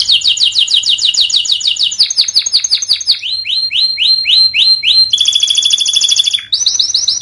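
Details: Canary master training recording for birds that have stopped singing: a fast high trill, then slower rising whistles, then a harsh buzzy roll and a quick high trill at the end.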